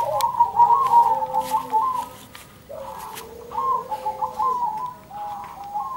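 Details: Zebra doves singing back and forth beside blooming sunflowers: soft, rippling cooed trills in phrases of about two seconds, one bird answering another with a lower drawn-out coo beneath.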